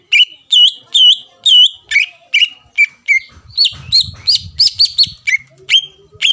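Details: Greater green leafbird, lure song for stirring rival birds to answer: clear looping whistles repeated about twice a second, shifting to higher flat whistled notes, faint low background rumble.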